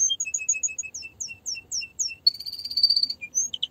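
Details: Canary singing paired high and lower whistled notes in a regular repeated series, then a sustained buzzy trilled tour and a few sharp closing notes.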